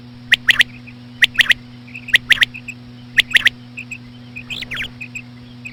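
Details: Female common quail sounds, played slowly for hunting quail: clipped triplets of sharp notes spaced roughly a second apart, soft twitters between, a short rising-falling squeal near the end, steady low hum underneath.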